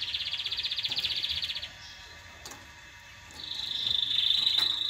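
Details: Canary song to stimulate mating: a rapid pulsed trill, a quieter pause with faint clicks, then a smoother rising buzzy trill.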